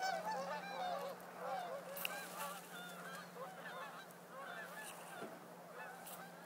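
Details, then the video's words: Geese flying off a pond in west Edmonton, a gaggle turning into a flock in the air; a chorus of overlapping honks that thins and fades over several seconds, with a constant low hum in the background. "Geese flying off a pond"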